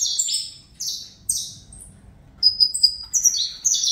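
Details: Juvenile saffron finch bred in captivity sings fibra style: repeated emphatic falling buzzy notes, a short gap with soft background rumble, then a quicker sequence of high whistled and buzzy slurs.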